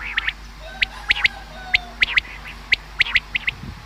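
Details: Common quail sound, offered as a hunting lure: short, sharp, high notes in quick groups of two or three, separated by pauses of about a second, over quiet background hiss.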